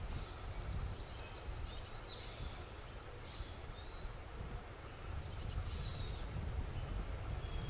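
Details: Chestnut-backed chickadee ruffling feathers, spreading tail and preening in the sun, giving thin, very high, slightly buzzy call notes in short scattered bursts over a steady low rumble of wind or distant traffic.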